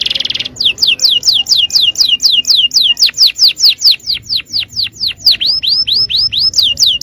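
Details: Yellow canary singing: a loud, fast series of high, sweeping whistled notes repeated about twice a second, opening with a brief buzzy trill and sliding notes throughout.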